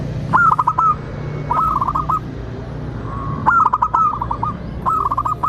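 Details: Song of a local zebra dove, used as a lure to make other doves sing and answer. Four short bursts of quick, soft cooing notes, each about half a second, separated by pauses, with faint clicks and low background hum.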